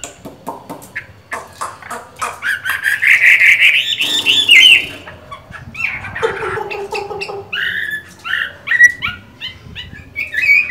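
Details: Chinese hwamei in moult, a caged songbird, giving a varied run of rising whistled phrases and choppy chirps, with lower tonal notes midway and rapid clicks throughout.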